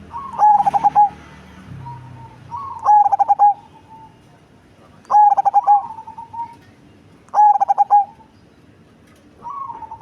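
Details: Cemani zebra dove, a large-bodied bird with a big, bassy voice, delivers four loud stuttering coo phrases about every two and a half seconds. Each phrase is rapid pulsed notes closing on a sustained tone, with faint gentle coos in between.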